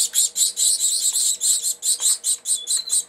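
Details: Female Gouldian finch feeding three chicks, about three weeks old, at an open nest on January 13, 2009; the young give harsh, high, wheezy begging bursts, roughly two per second.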